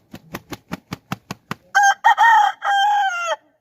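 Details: Aseel rooster: a run of about eight rhythmic low pulses, then a loud, held crow in three parts ending abruptly.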